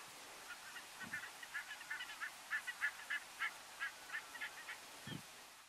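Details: Taiga bean geese in December 2022 at Uitkerkse Polder, Belgium, give a rapid series of nasal, mid-pitched honks, several a second, with two dull thumps in the background.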